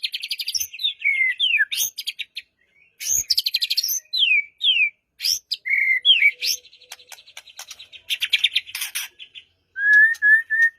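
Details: Song of a white-rumped shama used to coax a quiet bird into song, morning or evening: rich varied whistled phrases, downslurs and buzzy high trills, ending in a repeated short level whistled note.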